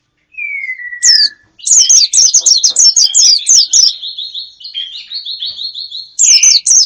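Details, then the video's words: Bird sound used as a lure to attract wild birds: a falling whistle, then a fast series of sharp, high chirping notes and rapid warbled trills, ending in more high chirps; no other sounds. "Pikat ampuh,untuk pancingan burung liar"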